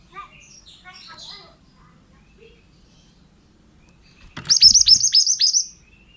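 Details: Singing male pied bushchat, recorded to train other birds: after a few seconds of faint distant twittering, a loud burst of quick, high, down-slurred whistled notes lasts over a second, with a brief thump as it begins.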